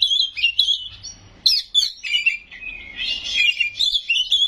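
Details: Gacor Oriental magpie-robin (kacer) song packed with isian and loud nembak notes: warbling whistles, a sudden sharp burst near the middle, then fast rolling, varied chirps and slurred whistles.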